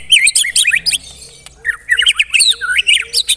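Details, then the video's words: Murai batu (white-rumped shama), a bird that copies other birds' voices, singing a dense 'tembakan rapat' phrase: loud fast chains of sliding chirps and harsh notes, a short pause, then another rapid chirping series. "Tembakan Rapat Burung Murai Batu"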